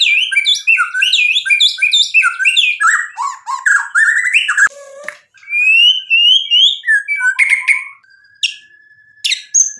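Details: Hard-singing White-rumped shama, played to provoke other shamas into full song; rapid, varied looping whistles at first, then scattered sharp notes, a low brief sound, and a long flat whistle.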